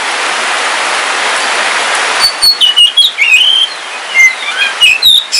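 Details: Steady rain hiss gives way to a caged Kalimantan kacer wulung, an oriental magpie-robin kept at home, singing rapid bright whistles and chirps that rise and fall on a wet day.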